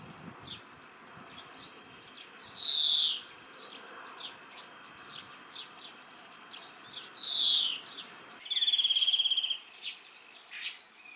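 European Greenfinch giving two loud slurred wheezing notes, then a fast buzzy trill lasting about a second, over steady high chips from other small birds.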